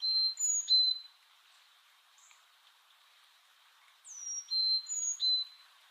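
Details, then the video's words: Birds giving clear, high, pure whistled notes in short clusters, some sliding downward, separated by a quiet gap of a few seconds. "Relaxing Bird Humming Sounds"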